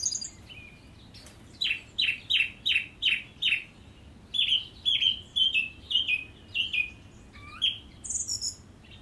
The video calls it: Song Thrush